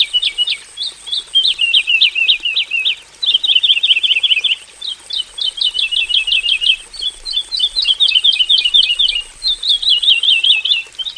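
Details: Javan bush lark in a simple aviary, singing energetically in 'gacor full isian' style; clustered bursts of sharp, jagged chirps and rattled trills in phrases of one to two seconds separated by brief pauses.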